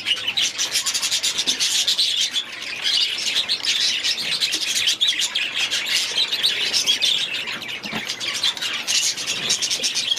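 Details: Continuous chatter from a flock of aviary budgerigars, fast scratchy chirps and warbled phrases running over one another throughout.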